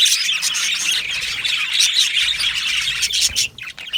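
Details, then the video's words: Budgie aviary colony of Australian budgerigars keeping up a busy chorus of high, overlapping chirps and twitters, fading briefly near the end. "Australian Budgie parrot sounds | Budgie parrot chirping sounds"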